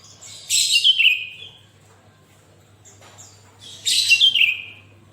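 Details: Actively singing sooty-headed bulbul meant to prompt other bulbuls: two loud phrases about three seconds apart, each a rasping high burst dropping into a falling whistle, with one faint chirp between.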